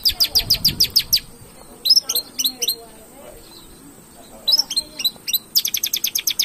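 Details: Long-tailed shrike played to provoke singing: rapid runs of sharp high chipping notes, pauses with soft scattered twitters, then another quick rattling series.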